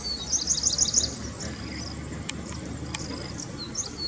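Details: Grey-breasted Prinia in scrub along a roadside, giving a quick run of about seven high, thin chipping notes in the first second, then quieter scattered notes and a couple of sharp clicks over low hum.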